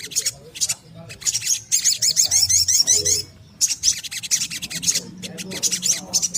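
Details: Little spiderhunter song meant for luring birds into singing. Dense, rapid high-pitched notes rise and fall in a long chattering run, broken by short pauses and clipped chip bursts.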